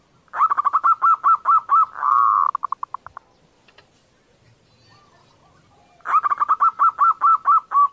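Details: Calling female zebra dove, kerot style, to stimulate males into breeding: a rapid run of ringing repeated notes, a buzzy burst fading into clipped notes, a quiet gap, then another run of about ten even notes.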